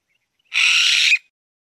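A mountain bamboo partridge gives one loud, harsh, raspy note lasting under a second, high and hissing in tone, with silence around it.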